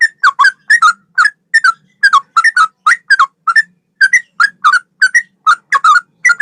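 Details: Male yellow-vented bulbul in a master training recording styled like a straw-headed bulbul: short bubbly, gurgling phrases of a few mellow notes, repeated about twice a second over a quiet background.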